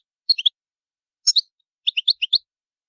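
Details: Goldfinch territorial call, a series of short sharp notes asserting presence: three quick chirps, a sharp double note after a pause, then a string of five crisp tweets close together.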